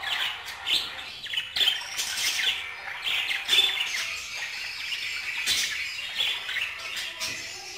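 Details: Budgerigar warbling nearly continuously, a rambling mix of chirps, squeaky notes and scratchy twitters rising and falling without clear breaks.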